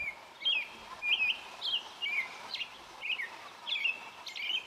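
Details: American robin singing: short, clear whistled phrases repeated about every half second, each slurring up and down, over steady outdoor background hiss.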